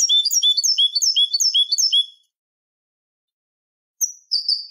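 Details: Canary performing malagueño-style song for a bird-training recording. A rapid trill of repeated looping notes fades out, silence follows, then a couple of high descending chirps.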